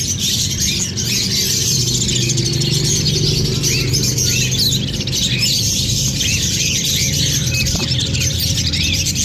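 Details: Budgerigar breeding pair in an aviary chattering continuously with rapid, high chirps and warbles over a low, steady hum.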